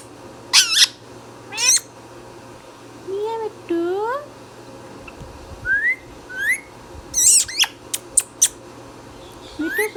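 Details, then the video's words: Caged-home Indian ringneck parrot vocalizing: harsh broadband screeches, sliding upward whistled notes, and bending, voice-like harmonic phrases, followed by short sharp clicks, with a faint constant background hum. "Indian Ringneck Parrot | Ringneck Parrot Talking | Indian Mithu Tota | Parrot Natural Sounds"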